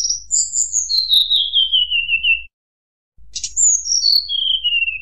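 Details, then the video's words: Tledekan gunung whistling to provoke rivals: a long string of pure notes starting high and falling step by step to a lower pitch, a short gap, then a second descending whistled cascade. "tledekan gunung nyuling bikin lawan emosi"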